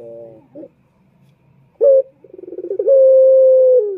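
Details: Male turtle dove calling as a lure for males: a soft rolling murmur, a pause, a short sharp note, then fast low pulses building into a long level coo.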